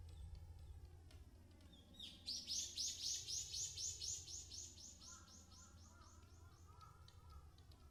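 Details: An Okinawa woodpecker in Yanbaru, Okinawa gives a fast, high, chattering run of about twenty sharp notes over three seconds, fading toward the end, over a steady insect drone and low rumble.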